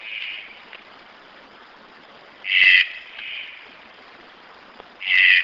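Red-breasted toucan giving short, harsh, raspy croaks about every two and a half seconds, with softer, more distant croaks heard between them.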